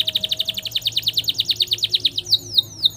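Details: Canary with a long roll used to train young canaries: an even trill of about eight notes per second holding steady and high for two seconds, then breaking into sweeping slurred whistles.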